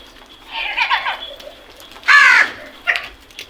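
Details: Crows calling on a morning, with a loud harsh hoarse caw lasting about half a second, a softer rasping call before it and a short squawk after, over quiet background chirps.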